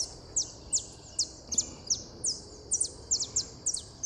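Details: Saffron finch song: thin, very high downslurred chips repeated irregularly, about two or three per second, over a steady low background hiss.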